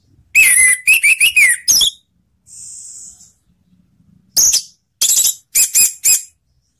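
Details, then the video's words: Orange-headed thrush song used to stimulate other thrushes to sing: loud whistled phrases with sharp, slurred high notes in quick bursts, a pause with a faint buzzy note, then further short clipped whistles. "suara anis merah/ untuk mendongkrak anis macet jadi ikut bunyi"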